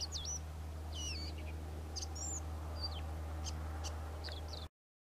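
Karoo scrub robin singing a quick run of varied high, whistled notes, some sweeping up or down, over a steady low rumble.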